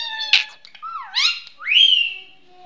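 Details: Talking Indian ringneck parrot giving a string of sliding, whistled and squeaky vocal sounds, including a falling then rising glide and a long rising whistle that levels off.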